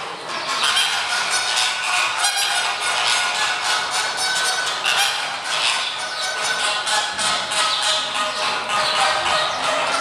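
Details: Flamingos in a Budapest zoo, kept in indoor facilities on a fine early spring day and sounding dissatisfied: a dense, unbroken flock chorus of loud nasal honking and gabbling, many birds calling at once.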